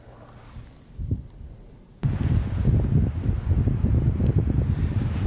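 Heavy wind buffeting the microphone, with a low rumble that grows louder after two seconds and no animal calls.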